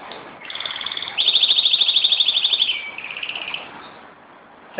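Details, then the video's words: Domestic canary showing off its song indoors at home in Jeddah, September 2008: fast, bright trills climbing into a loud, rapid rattle, then sliding lower into softer rolled notes, ending with a sudden short noise. "My Canary Showing OFF"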